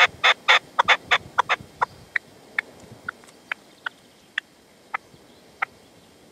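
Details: Partridge at sunset in the sierra near Manzanares, 27 February 2014, calling to a decoy (reclamo) while the male stays away; a burst of loud rapid rasping calls that slows and fades into spaced, quieter single notes.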